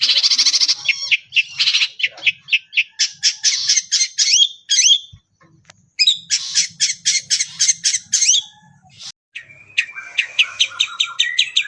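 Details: Long-tailed shrike, a captive contest winner, pouring out mimicked phrases and rapid 'tembakan' bursts to provoke other birds: harsh rattling series, brief silences, then renewed fast chattering and thin high notes.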